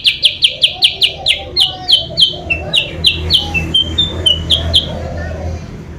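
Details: Lure call of the sooty-headed bulbul to attract rivals: quick bursts of short sharp notes that slow and fade midway, over a quieter low warbling and hum.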